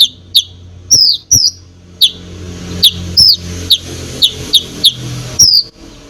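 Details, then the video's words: Konin giving spaced, piercing slurred whistles and short chirps, a few drawn out and falling in pitch; this lively song is used to make other birds aggressive. A low humming background is present. "KONIN GACOR FULL ISIAN BOCOR BUAT BURUNG LAIN CEPAT EMOSI"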